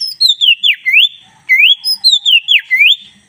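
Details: Black-breasted kacer, or Oriental magpie-robin, in full energetic song: a looping phrase of sweeping whistles that fall then rise, given twice in quick succession with a short gap between the runs.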